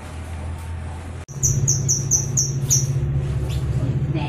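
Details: Cucak kinoi in a coarse, rapid 'kasar ngebren' song style, used as a master recording to prompt other birds to sing: a quick run of about six sharp, high chirps, then fainter scattered notes over a steady low hum.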